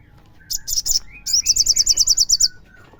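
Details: Crimson sunbird, local name sogon, in a recording meant to lure other sunbirds into singing: a few loud high chips, then a rapid, regular run of about eleven sharp, ringing notes, with soft whistles behind.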